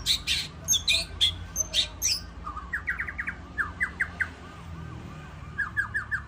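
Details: White-rumped shama, a contest champion, singing at a bird singing contest in Ladong: bright varied whistles and chips, then a run of rapid upslurred notes in short bursts, with other birds chattering steadily behind.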